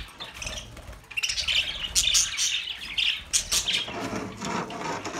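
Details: Bright, rapid chirping and warbling from budgerigars rises in bursts, with many short tweets overlapping and a soft lower murmur near the end.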